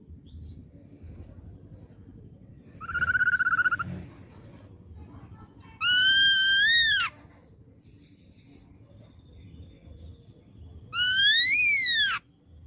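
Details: Young wild-caught ashy drongo: a short, flat whistle, then two loud rising-and-falling whistled notes spaced about five seconds apart, with soft background noise between them.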